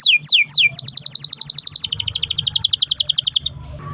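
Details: Canary singing meant to stir other canaries: three long falling whistles, then a fast, even rattling roll of repeated notes lasting nearly three seconds before stopping abruptly.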